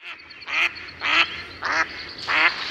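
Mallard giving four harsh, nasal quacks about every 0.6 seconds, each broad and buzzy; a faint steady high tone runs underneath.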